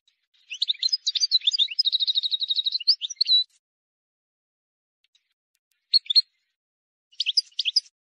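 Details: A wild European goldfinch sings a flawless song meant for training young goldfinches: a dense burst of liquid twittering and a fast repeated note series, a pause, then two short chirpy phrases.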